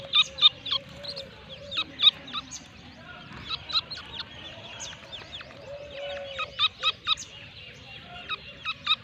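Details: Grey francolin, known locally as Irani teetar, of the 2nb breed in Pakistan, gives quick series of grating, staccato notes in clustered bursts separated by brief gaps, with a faint continuous drone behind.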